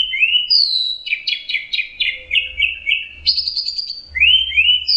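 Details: Rich, fast orange-headed thrush song with rising whistles followed by a rapid run of chirpy, slurred notes and a higher trill, then rising whistles again, over faint low noise.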